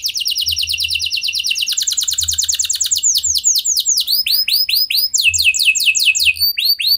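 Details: Canary in full song, meant to coax other canaries into singing: a long fast trill that rises slightly in pitch, followed by sequences of curved whistled swoops and rapid descending phrases, continuous throughout.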